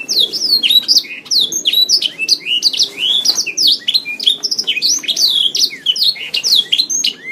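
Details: A canary's continuous song from a masteran tutor recording for songbirds: unbroken, high-pitched run of swept whistles, sharp chips and fast trills, bright and busy throughout, with no other sounds standing out.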